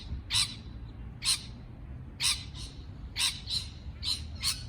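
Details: Parrot uttering loud grating squawks, some paired with a softer echoing note just after, roughly one to two per second, against a quiet low hum.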